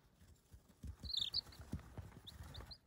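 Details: Baby chicks peeping, a short burst of high, thin peeps midway followed by a few scattered single peeps, over soft scratching and rustling sounds.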